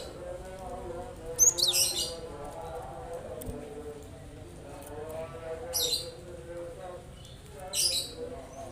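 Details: Cinereous tit (gelatik batu) singing, a lure meant to prompt other birds to sing: three bursts of high, sharp chirping notes spaced a few seconds apart, over a steady low droning hum.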